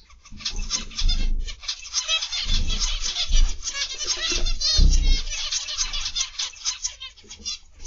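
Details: Aviary zebra finches on 29 November 2021, afternoon, calling nonstop: a dense wash of rapid nasal honks and beeps over a steady low rumble.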